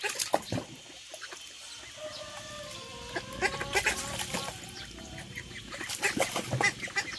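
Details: Blue call ducks give short, nasal, level-pitched calls in a loose run over a few seconds, amid scattered clicks and knocks.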